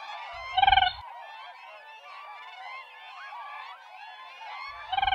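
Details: Siberian crane giving two loud pulsed, trumpeting calls several seconds apart, with a continuous murmur of softer crane calls between them.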